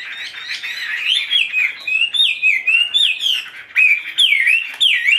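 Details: Caged tame Chinese hwamei fanning its tail while singing loud clear whistles that swoop up and down in linked phrases, with brief chattering fragments and sharp high flourishes between them.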